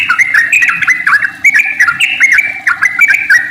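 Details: Long rolling song of a sooty-headed bulbul, played to prompt other bulbuls to sing; clear, liquid whistled notes dipping and rising in fast, busy phrases that run continuously through the recording.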